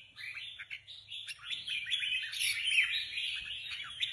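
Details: Competition red-whiskered bulbuls produce a continuous rush of overlapping warbled chirps and whistles, building louder toward the middle, with soft low rumbling beneath.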